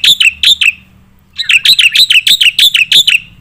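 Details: Training song of a black-winged myna for competition birds: three sharp notes, a pause of about half a second, then a steady string of loud chirps with falling tails.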